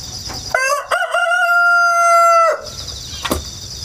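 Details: Rooster hatched indoors in an apartment and raised in the countryside, recorded 1 September 2019 from a ladder with a GoPro and wireless microphone: one full loud crow, a stuttering start then a long steady held note, with chirping insects before and after.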